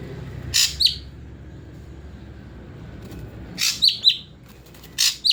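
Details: Ashy drongo kept in a cage and bathed morning and evening, then aired under a cover, utters three brief phrases, each a harsh rasp followed by a short sharp whistled note, separated by quiet pauses.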